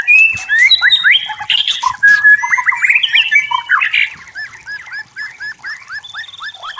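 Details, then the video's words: Wild white-rumped shama in full song, dense varied whistles and chattering notes, then a series of repeated curving whistled phrases delivered rapidly. "Suara Murai Batu Hutan Jernih Alami Jernih Shama bird"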